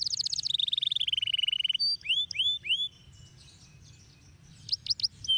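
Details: Canary delivering a fast, ringing trill that slides gradually downward, followed by three separate rising whistled notes, a quiet pause, and a few sharp chirps at the end.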